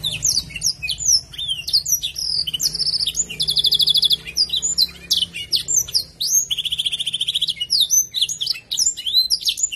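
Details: Canary singing a song filled with blackthroat-style phrases: quick rising and falling whistled notes interspersed with two rapid buzzy trills, steady and continuous, over a low background hum.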